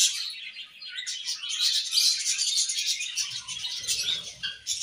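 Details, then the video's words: Budgerigars singing while playing: a steady, rapid warble of high twittering and squeaky chirps, with soft low rumbling taps entering in the second half. "Budgies Singing and Chirping"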